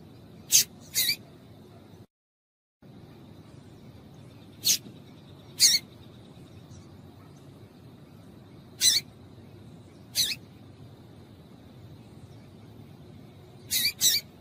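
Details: Female Double-collared seedeater piping meant to make the male sing: about ten brief, piercing high chips, often in close pairs, spread over the recording with a short silent break early on and a faint steady background tone.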